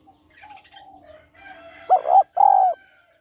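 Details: Female spotted dove calling to stimulate males: one low, hollow coo pair, a short wavering double note then a longer sustained note, after soft, faint background bird chatter.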